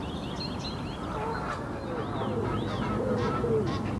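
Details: Egyptian goose giving a quick run of hoarse, rising-and-falling honks, several per second, alongside lower grunting notes against constant background rumble.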